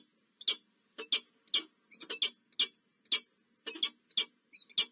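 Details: A pair of peregrine falcons meet at their nest site on Josefstrasse in Zurich, Switzerland, on 22 October 2024, caught on a falcon camera: clipped, grating calls given singly or in doubles, roughly twice a second.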